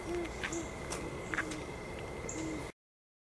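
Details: Soft, low hoots from a great horned owl at sunset on Mt Nittany, two close together at the start and one more near the end, with faint insect buzzing and a thin high tone behind.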